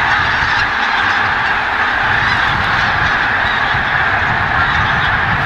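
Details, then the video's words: A dense, unbroken chorus of cackling, yelping honks from a large mixed flock of greater white-fronted and bean geese milling together, with countless overlapping voices and no pauses. "Gänsegewusel (Blässgans, Saatgans)"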